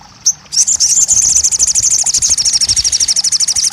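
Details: Crested jay: one brief high note, then a steady, rapid, shrill rattle, many pulses per second, continuing to the end. Used to coax a silent bird into song.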